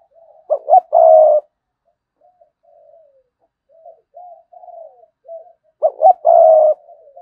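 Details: A decoy spotted dove cooing sa gù and thúc bổi: a loud phrase of two clipped notes and a long coo, soft distant coos in the gap, then the phrase again.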